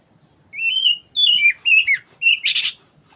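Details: An Oriental magpie-robin, black-breasted form, delivers a drawn-out whistle, then descending slurred notes and a short whistle before a rough, buzzy rasp; a quiet background otherwise.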